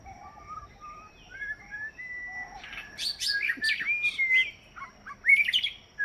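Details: White-rumped shama singing on Kauai, answering a person's whistling; soft pure whistled notes give way to a busy burst of varied chirps, trills and rising slurred phrases.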